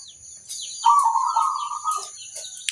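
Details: Local zebra dove cooing to prompt other zebra doves to answer: a drawn-out, rolling, wavering coo lasting about a second, with brief faint notes after it and a steady high-pitched electronic tone behind.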